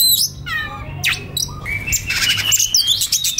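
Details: White-rumped shama singing relaxed phrases, a master recording for young birds: a few downslurred whistles, then a long steady high whistle with rattling notes, over a low background hum.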